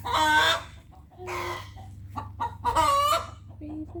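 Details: Backyard hens give loud, harsh cackling bursts, about four squawks in four seconds, answering each other over a low steady hum, as they vocalize together when one hen finishes laying her egg.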